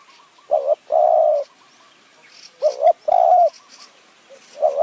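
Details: Decoy spotted dove luring wild doves in Kanchanaburi high forest, Thailand, using khu ang calls. Two phrases of a short double note and a drawn-out smooth coo, with faint cooing in between.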